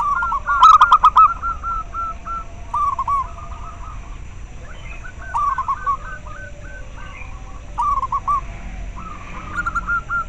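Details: Local zebra dove calling, used to raise breeding drive in captive doves and for luring. Runs of short staccato coos, several overlapping series, steady throughout with a louder opening burst.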